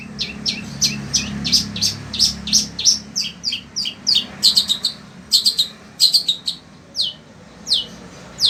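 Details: A sembur-type Long-tailed Shrike kept as a house bird in Indonesia delivers a steady stream of sharp high chips and rising whistles in the heat. The notes slow toward the end, over a faint low hum.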